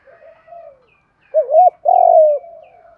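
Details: Spotted dove cooing, a recording that mixes female and male birds, used to train and provoke decoy doves into cooing back. Soft low opening coo, then louder mellow hooted phrases, one wavering and one long level note trailing off.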